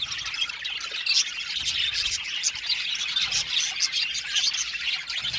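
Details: Budgerigar colony in an aviary, a dense, constant chatter of high chirps, squawks and warbles from many birds overlapping with no pause.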